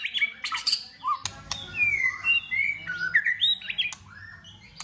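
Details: Competition singing from a white-rumped shama, a varied, many-voiced song of clear gliding whistles rising and falling, broken by sharp click-like notes.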